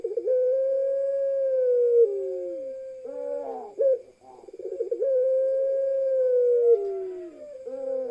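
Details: Parade of pelung-style ringneck doves with one female: two long, smooth coos that hold level and then drop, each followed by quick, rolling stuttered notes, clean and loud.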